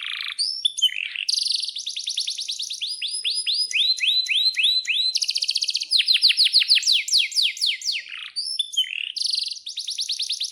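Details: Singing canary, a lively long-rolling song played to lure canaries into singing; dense bright phrases of falling whistled notes repeated in fast runs, interspersed with rattling trills and short high chirps throughout.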